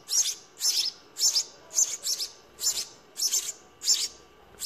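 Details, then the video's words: House sparrow babies begging while being fed in the nest: high, harsh chirps in quick bursts, about nine in under five seconds, each a rough cluster of notes. "Sparrow feeding babies in nest"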